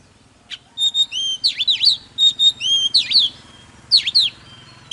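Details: Oriental magpie-robin in strong song: clear flat whistles leading into swooping double slurs, repeated in short phrases with pauses, while a low rumbling hum continues in the background.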